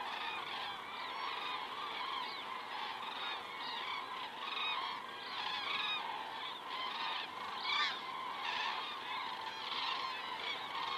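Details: Evening flock of common cranes over Estonia on 19 September 2017, 19:10, recorded by a crane cam: continuous overlapping bugling calls from many birds, swelling louder near the end.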